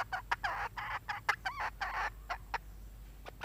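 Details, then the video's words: Hen clucking in quick, irregular bursts of short, harsh notes, some grouped into brief chattering runs, with a faint low hum underneath. "suab poj qaib"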